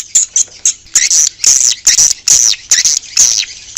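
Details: Swiftlets outdoors, a recording used to attract swiftlets: bursts of high, buzzy chirps, many with a falling tail, repeated roughly twice a second with short gaps between them.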